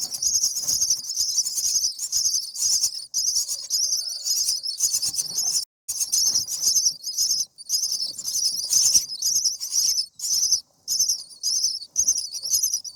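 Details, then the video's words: Common myna babies in the nest at seven days, fed by a parent, keep up insistent high raspy begging in rapid pulsing bursts, with a few brief gaps. "Common Myna Feeding baby birds"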